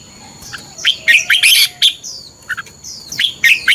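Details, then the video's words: A red-whiskered bulbul delivers its fighting song during morning training: dense, lively whistled phrases with descending slurred notes and sharp chirps, nearly continuous over a few seconds, a thin steady tone audible behind. "Luyện chào mào hót sáng. chào mào hót đấu"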